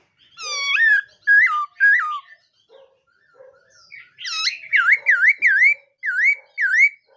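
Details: Morning voice-training song of a laughingthrush: three rich whistled notes with sharp bends open the phrase, then after a short pause a run of six quick V-shaped whistles, falling and rising, repeated about every half second.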